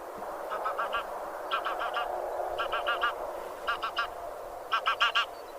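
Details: Geese of the genus Anser, grey or white geese, calling in short bursts of three to four nasal honks, bursts repeating about every second, over a steady background hiss.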